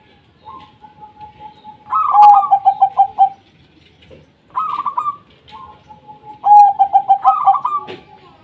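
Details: Zebra dove of local stock in full song, meant to draw quiet doves into calling: two bouts of a short trill followed by a quick string of loud, rhythmic bubbling coos, with quieter pauses between.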